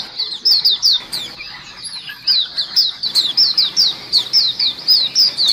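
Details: Lure recording of a chattering white-eye flock, several birds together: bright descending chirps in quick bursts, a short lull near two seconds, then steady rapid chirping to the end.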